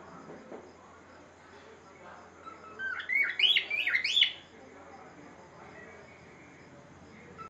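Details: Singing pet cockatiel in a room: after a quiet stretch with faint background murmur, one lively whistled phrase of rapid up-and-down warbles lasting about a second and a half, then quiet again.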